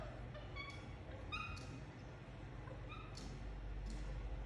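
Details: Pet Indian ringneck parakeet chirping: short bright chirps with stacked harmonics in loose clusters, several per second, with some sharp high squeaks, over a steady low background hum.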